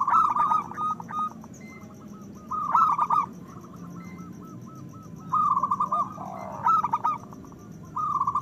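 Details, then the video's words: Local zebra dove, a strong persistent singer used to trigger breeding desire in other doves, gives short bursts of rapid pulsed cooing separated by quieter evenly spaced soft coos in the background. "Perkutut lokal gacor Suara Besar Pancingan Bunyi Menaikkan Birahi Paling Ampuh"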